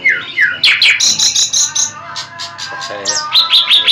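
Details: Common nightingale singing a varied phrase: downslurred whistles, then a run of short high notes and buzzy bursts, with a brief pause before a final series of repeated high chips.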